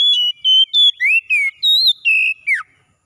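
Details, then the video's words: Oriental magpie-robin singing in the morning: a rapid run of clear whistled phrases, some steady and some sliding, the last dropping sharply, about eight notes in three seconds, with no other sounds. "OCEHAN KACER PAGI HARI"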